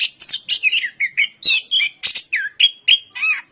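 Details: Orange-headed thrush, locally anis kembang, giving a quick series of warbled and whistled phrases, several falling slurs and a clear flat whistle, about three to four notes per second.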